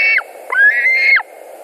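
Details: White-tailed eagle screaming at a Latvian nest as birds fight over a delivered carp, midday on 2 August 2020. One short scream falls away, then a second rises, holds and drops off abruptly.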